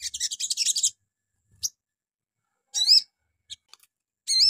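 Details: Sogon singing in the morning as a lure to prompt other birds to answer: a dense burst of rapid, high chittering notes, then short thin chips and two clear ringing, wavering call notes with pauses between.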